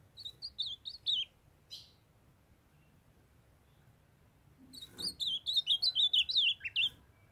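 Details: Young male ultramarine grosbeak singing in captivity while a female calls to stimulate him. A short burst of slurred whistled notes, then a pause, then a longer fast phrase of about a dozen warbling notes that wavers up and down before ending.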